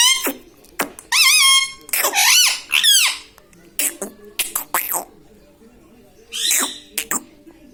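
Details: Pet parrot talking, taught words such as mummy, papa and radhe radhe: a loud, high, squeaky voice with stacked tones, sliding and wavering syllables in bursts, then quiet pauses and a few short clicks.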